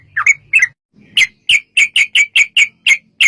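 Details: Trucukan, the yellow-vented bulbul, singing as a lure to make other bulbuls reply; a few rough opening notes, then a steady run of sharp, clipped chirps repeated roughly every quarter second.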